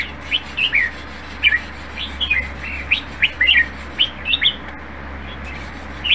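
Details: Red-whiskered bulbul kept in a cage and groomed for song contests, giving brief chirpy two- and three-note phrases, slurred up and down, spaced irregularly over a faint constant low drone.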